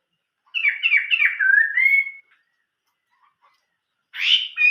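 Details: Chinese hwamei singing old-forest style: a rapid stuttered series of notes flowing into a rising clear whistle, silence, then a harsh burst followed by a high note.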